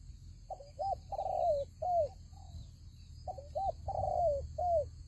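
A spotted dove gives two soft, mellow phrases of four cooing notes, the long third note swelling then falling, over a low rumble and a faint steady high hum.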